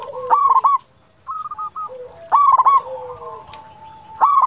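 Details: Zebra dove of a local strain, bold and often singing, delivers a stuttered cooing phrase, a short purring trill, then another clipped burst of coos near the end.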